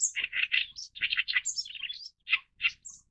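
Oriental reed warbler giving loud, harsh, grating chatter notes in quick succession, broken by a few thin high squeaks, with brief pauses between bursts.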